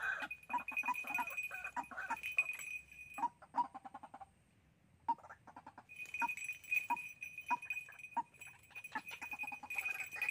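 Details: {'caption': 'White-breasted waterhen call from Sóc Trăng, Vietnam, recorded 2 February 2021 and used as a lure for trapping: steady series of short, loud, clucking notes, paused briefly midway, with sharp clicks between.'}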